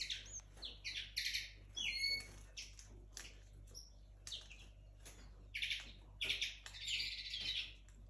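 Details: Linnet hybrid from 2022 at the start of its singing, kept indoors: bursts of bright twittering and chirps, with short whistled notes and buzzy trills in irregular phrases. A low hum runs underneath.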